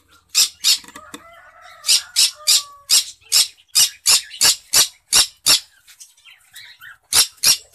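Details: A cinnamon green-cheeked conure in a breeding cage squawks repeatedly, harsh rasping notes about three per second in a steady run, with a short gap before a final few; faint softer chattering and a low hum early on.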